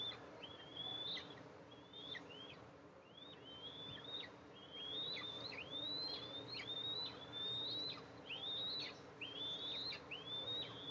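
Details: Two eaglets of the Eastern imperial eagle in their nest, filmed by a nest camera on July 14, 2024 as their mother comes to feed them. A long run of high, slurred whistles, roughly one a second, each bending upward and then dropping sharply, over background hiss.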